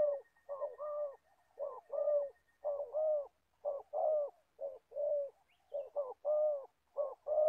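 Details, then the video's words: Spotted dove, an old decoy bird used for trapping in Gia Lai, Vietnam, cooing steadily: short low note pairs followed by longer hollow coos, roughly one phrase per second, with a faint steady tone early on. "Bẩy cu gáy. Clip 65.. mồi già bắt bổi thổ tốt tiếng"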